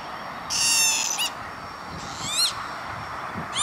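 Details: Lapwing at Veenendaal industrial estate, Netherlands, 28 May 2013: a long nasal call, then two upslurred wheezy calls, set against a thin steady tone and background hiss.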